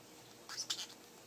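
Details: A pet parrotlet that talks speaks two quick, squeaky, high-pitched syllables, like a tiny imitation of a spoken word, against a faint hiss, while being prompted with "pretty bird" and "where's the kitty".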